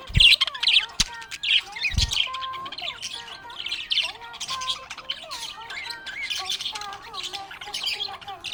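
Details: Budgerigar chirping happily with rapid scratchy twitters and squawky chatter, joined by wavering whistled notes. There are a few low thumps near the start.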